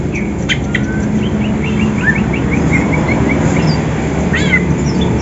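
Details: Two greater green leafbirds, from Banyuwangi and Sumatra, in morning contest training, seeking a rival; a fast series of about ten short repeated whistled notes, followed by a buzzy downslurred call, over steady low droning noise.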